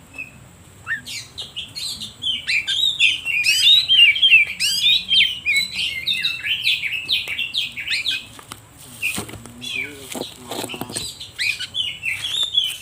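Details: Oriental magpie-robin (kacer) lure song used to stir other birds into singing and to attract wild birds in forest: a long, rich, continuous run of varied whistles, trills and sweeping notes, loud and energetic, briefly pausing midway before resuming.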